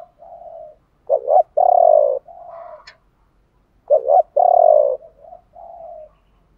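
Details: Spotted dove, 'thổ bầu' three-note call style from male and female birds for stimulating cooing; quiet hollow coo, sharp doubled note, long loud coo, soft tail notes, repeated twice with brief pauses.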